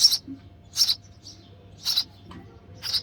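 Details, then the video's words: Nestling sparrow begging as the mother feeds it, giving four sharp, high chirps at uneven gaps with a few faint squeaks between them. "Hungry Baby Sparrow: Sparrow Mother Feeding Their Chick in The Nest With Baby Sparrow Chirping Sound"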